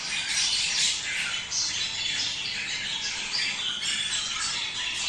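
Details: Budgerigar warbling meant to prompt mating. A steady, bright stream of fast, grating chirrups and thin squeaks, loudest in the first second.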